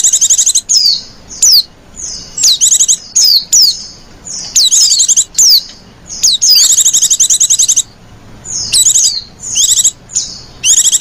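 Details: A female white-eye calls lenjeh manja style to lure other white-eyes: alternating sharp falling whistles and dense high-pitched trilled chatter, calling almost continuously, loud and close.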